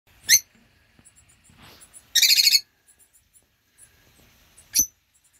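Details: Rosy-faced lovebirds, a pair with four 8-week-old young, recorded in 2024: two sharp, shrill, harmonic shrieks about four seconds apart, with a brief burst of rapid buzzy chattering between them and faint soft chirps in a quiet background.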